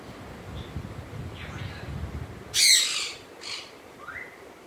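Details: African grey parrot letting out one loud grating squawk and a shorter second one, with a faint rising whistle after, over low background noise.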